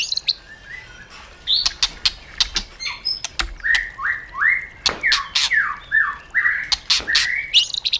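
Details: Caged white-rumped shama with wild-style song for training caged birds: a series of short upslurred whistles mixed with sharp clicks and chirps, in bursts.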